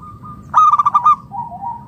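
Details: Local zebra dove luring other doves to call: a loud, rapid burst of about six rich, pulsed notes, followed by a quieter, softly wavering coo.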